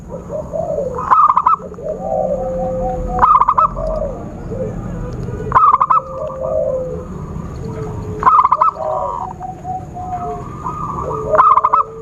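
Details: Zebra dove calls meant to lure birds for trapping: five loud, rattling pulsed bursts spaced about two to three seconds apart, with softer warbling notes and long whistles of other birds and a constant high tone behind.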